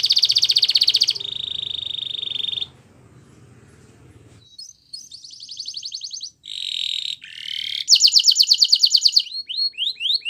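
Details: Belgian canary singing, used for training canaries: steady buzzy high rolls broken by a pause with low rumbling, then clipped rattling phrases and a bright fast trill ending in upswept notes.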